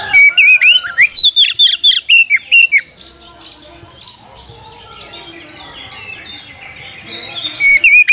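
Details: Oriental magpie-robin, called kacer, singing to challenge a rival: about three seconds of loud, rapid, repeated whistled notes with steep pitch swoops, a quieter stretch of faint warbling, then a final burst of loud notes.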